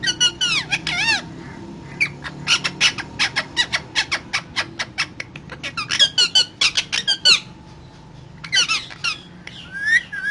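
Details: Talking parrot delivering a long run of fast clicks and short chirping notes, with arched whistled calls at the start and end and a brief pause midway.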